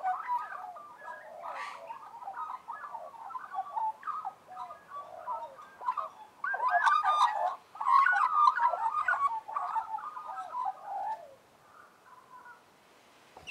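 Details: Several Australian magpies warbling together in harmony: a dense, rambling stream of fluty, gurgling mid-pitched notes with sharp clicky bursts and squeaks in the middle, growing louder, then thinning to soft notes before a final abrupt click.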